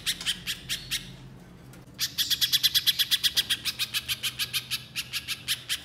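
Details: Little spiderhunter delivering shooting-style 'nembak' song: a few sharp high chips, a brief pause, then a dense burst of quick, loud repeated notes that gradually softens. The recording is meant to make untrained spiderhunters start singing.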